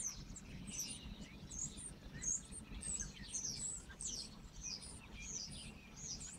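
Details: Several birds singing near Erbach and Michelstadt in the Odenwald, Hesse, Germany, in late November 2023. High, thin twitters and chirps overlap irregularly over a steady low rumble of background noise.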